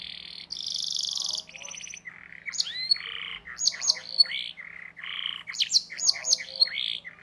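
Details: Canary song for teaching young canaries to sing, with harsher parts: buzzy blocks of notes, squeaky up-swept chirps and scratchy bursts, over a steady low hum.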